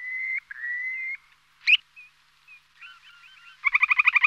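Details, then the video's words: Bird song of varied phrases: long level whistles, a sharp loud chip, a few short soft notes and slurred twitters, ending in a rapid series of loud, evenly repeated chirps. "Kuş Sesi 2"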